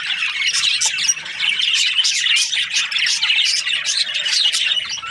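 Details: Morning budgies chattering, with rapid bursts of high chirps and harsh little squawks overlapping in a continuous, lively jumble.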